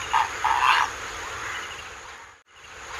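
A purple heron gives two harsh, rasping croaks in quick succession, the second longer, followed by a steady background hiss.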